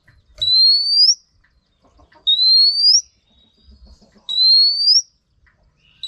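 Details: Caged-training recording of a female Oriental magpie-robin calling to stir males: three pure, rising whistled notes, each held under a second and spaced about two seconds apart, with faint low thumps between.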